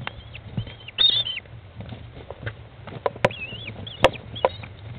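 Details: American kestrel chicks, 15 days old and halfway to fledging, fed by their mother inside a nest box, 20 May 2011, 13:54; high thin whining calls rise and fall between sharp clicks and thuds.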